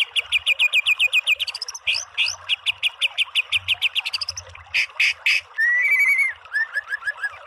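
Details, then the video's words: Rapid white-rumped shama song with long runs of repeated chips, rising whistles, two harsh buzzy blasts, and a loud slurred whistle with a thin high tone above it. "MASTERAN MURAI BATU full TEMBAKAN biar EMOSI NYAUT jadi BUNYI GACOR BONGKAR ISIAN"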